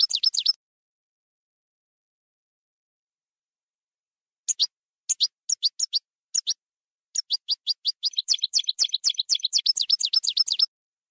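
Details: Field-style (campero) European goldfinch song: an opening twitter, a long pause, then scattered high chirps that gather into a rapid, liquid, tinkling run lasting about three seconds.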